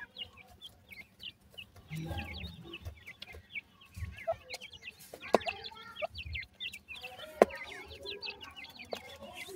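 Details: Chicks of the dakhni teetar, a francolin, giving scattered high, squeaky upslurred peeps that grow denser toward the end, with occasional sharp clicks and low bumping noises.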